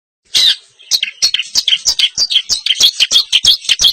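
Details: Long-tailed shrike, a caged contest bird singing in East Javanese champion style: a rapid, fast-paced run of sharp, high chirps and squeaky notes, roughly three per second, after a brief silence.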